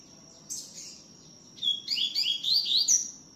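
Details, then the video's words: Double-collared seedeater singing a great deal in the tui tiu song style: a brief chirp, then a rapid run of sweet, slurred whistled notes rising and falling over about one and a half seconds, above a steady thin high tone. "COLEIRO TUI TIU CANTANDO MUITO"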